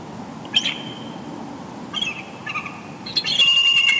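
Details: Bald eagle pair at Big Bear Lake, California, after dusk on 19 November 2020, exchanging pair-bonding chortles; mostly quiet at first, then short high piping notes and a sustained bright chattering burst near the end.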